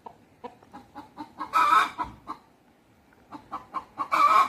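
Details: Rooster and hens talking to one another at Deokso natural history museum: runs of quick, evenly spaced clucks build into loud, rasping squawks, with a short pause before a second run ends in another squawk.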